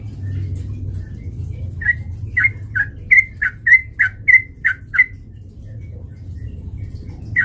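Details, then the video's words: Lure song of the sooty-headed bulbul meant to provoke birds to fight: a brisk series of about ten clear, chirpy notes, each slightly dipping or bending, clustered in the middle of the recording, with soft low background hum throughout. "PANCINGAN trucukan gacor TARUNG MENJADIKAN burung trucuk gacor NYAMBAR"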